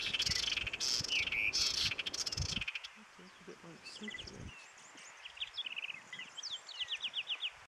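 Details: Endemic Apolinar's wrens (ssp. hernandezi), up to eight together in February in Sumapaz highlands near Bogota, Eastern Andes, Colombia. Quick, sharp, high notes about four a second in chattering bursts; a louder, harsher passage with possible voices opens.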